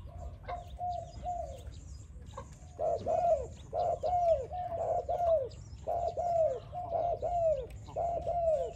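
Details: Spotted dove singing, a recording used for training doves: after a few soft coos, a run of low, arched cooing notes begins around three seconds and repeats roughly once a second over a steady low hum.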